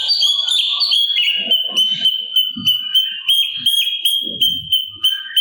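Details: Sooty-capped babbler in full gacor song, a master recording for training birds like magpie robins: a continuous high whistled tone with rapid pulsed notes, lower warbled phrases and faint low thumps beneath.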